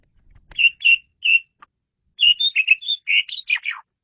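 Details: Asian pied starling in lively 'gacor' song, recorded as 'masteran' tutor material: three spaced, clear whistled notes, then a quick tumbling series of whistles and buzzy slurs that drop in pitch at the end.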